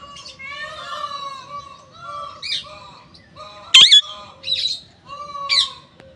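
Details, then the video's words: Parrot calling in a varied run of nasal, wavering squawks and short chatters, broken by one sharp, loud whistle near the middle and a few brief squeaky notes afterward. "Raw parrot"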